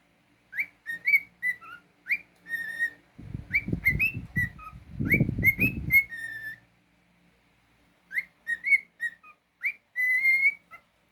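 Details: Pet cockatiel singing indoors: lively series of short chirpy whistles rising and falling, with rustling or scratching noises in the middle, ending on a longer level whistle.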